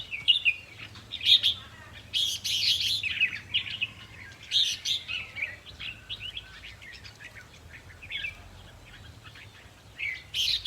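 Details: Red-whiskered bulbul song from a decoy-trapping session, played to excite caged birds: bright, bubbling whistled phrases with quick slurred notes, in bursts through the clip, some louder clusters near the start and end.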